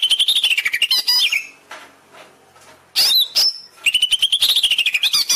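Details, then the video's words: Caged-bird training song of the greater green leafbird: dense harsh chattering trills, a short pause, then whistled sweeping notes and another fast chattering run. "Masteran cucak ijo cepat gacor"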